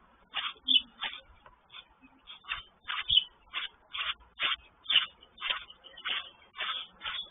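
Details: Alert mother sparrow chirping aggressively beside her nest with chicks when another sparrow nears; steady string of single harsh chirps roughly every half second over a faint background hiss.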